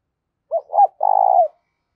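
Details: Spotted dove giving a challenge call meant to set decoy birds cooing: two brief coos followed by one longer, slightly rough, falling coo, clean with no other sounds.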